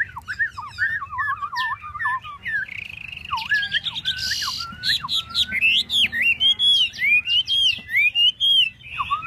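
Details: A Chinese hwamei fans its tail in display while singing lower, jerky whistled notes that build into loud, repeated arching whistles rising and falling roughly every half second.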